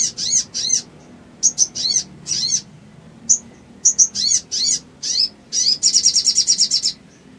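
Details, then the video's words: Sooty-headed bulbul song used as a provoking lure to make silent bulbuls sing: short high whistled and slurred notes in quick bursts, closing with a rapid even trill. "SOGON GACOR NEMBAK NGLEPER❗ PANCINGAN EMOSI SOGON MACET BUNYI DAN BAHAN IJOAN CEPAT NGRIWIK"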